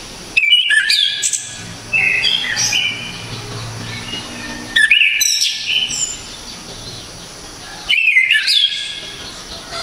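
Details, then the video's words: Loud, piercing song of an orange-headed thrush, known in Java as anis kembang, sung in powerful 'tembakan' bursts: three short, rich whistled phrases with sliding and stepped notes, roughly every three to four seconds, over a faint background hiss. "ANIS KEMBANG‼️SANG Legenda TANAH JAWA ‼️TEMBAKAN KERAAS‼️DERRR DOR MANTAP JIWA‼️"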